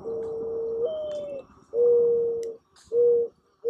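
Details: Mourning dove cooing: a long, soft, hollow low note with a slight upward step, followed by two more steady level coos, each under a second, separated by brief pauses.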